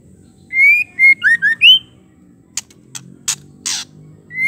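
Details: Female white-rumped shama call, used to provoke male shamas into singing and anger: a rising whistle, a short level whistle, two quick down-slurred notes and an upswept whistle, followed by sharp dry clicks and another rising whistle.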